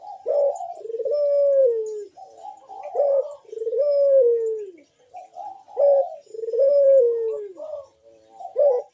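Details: Loud, sharp bekur cooing of a Barbary dove, used to entice other doves to call: brief introductory hoots, then a drawn-out, slightly descending coo, three phrases in steady succession.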